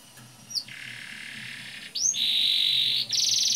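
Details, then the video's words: Canary song played as a lure so young canaries start twittering and singing, featuring long rolls: a short slurred note, then a sustained buzzy trill, then a louder rolled trill, and a high bright trill at the end. "Pancingan kenari paud ngeroll panjang, agar cepat ngeriwik dan gacor"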